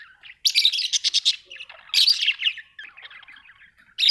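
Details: Pet budgerigars kept at home, giving bursts of harsh, buzzy chirps and scratchy chatter in two main phrases, with softer warbling between them.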